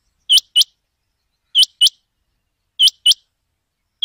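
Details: Rain quail calling: sharp, high, metallic double notes, each pair of quick clipped notes repeated about every 1.2 seconds, three full pairs and the start of a fourth, against complete silence with no other sounds.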